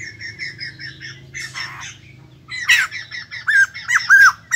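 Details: White-crested laughingthrushes, newly wild-caught and caged, with soft scratchy notes and a low hum at first, then louder harsh bent squawks in a quick uneven series.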